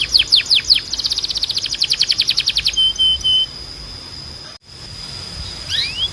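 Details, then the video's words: Training song of a canary for young birds: quick bright swept notes become a fast even rattle-like trill, then a short whistled tone, a pause, and a final rising note over a thin steady high hum. "Melhor Som de Canário Para Treinar"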